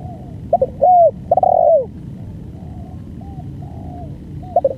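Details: Spotted dove in full, long-duration song. Loud stuttered notes and two drawn-out falling coos form the main phrase. Softer, more distant coos follow, and a new stutter begins at the end, over a low rumble.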